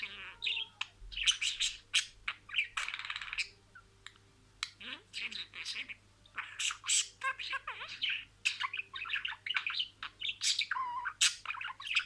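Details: Pet budgerigar talking, imitating a sequence of words: dense, rapid chatter of harsh, buzzy bursts and short squawks packed closely together, with brief quiet gaps around the four-second mark.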